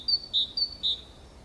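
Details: Great tit singing beside its nest box in Valencia in April 2015: two crisp high-low note pairs in quick succession, the lower note louder, ringing clearly above a quiet background.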